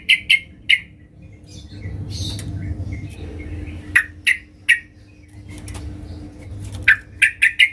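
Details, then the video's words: Yellow-vented bulbul seeking a fighting rival: short bursts of sharp, mid-pitched notes at the start, middle and end, separated by stretches of low rumbling noise. "Trucukan gacor Mencari Lawan tarung suara keras"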